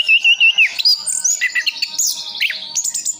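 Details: Kept orange-headed thrush in Sidoarjo, East Java, opening with a wavering whistled note, then a jumble of rising and falling slurs and high squeaky notes delivered quickly and continuously, with a quiet hum underneath.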